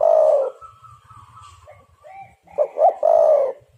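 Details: Spotted dove call played as a lure for trapping birds; a long strong coo opens, then a quiet gap with faint low rumbling, and a rapid two-note lead-in into another long coo.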